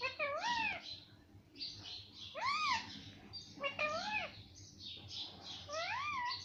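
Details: A talking parrot imitating the words mummy and papa: paired harmonic, voice-like syllables that bend up and down, repeated four times with short pauses, indoors with a low background hum.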